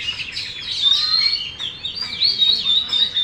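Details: Caged Oriental magpie-robin, a contest winner, delivering fast, busy song of sharp chirps and brief high whistles, closely packed, with a few bright sustained notes.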